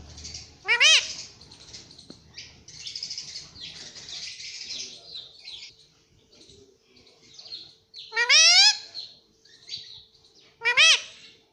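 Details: Pet ringneck parrot talking "mummy papa" indoors: loud, upward-sweeping, ringing call-words at about 1, 8.3 and 10.8 seconds, separated by stretches of soft, breathy chatter and low mumbling.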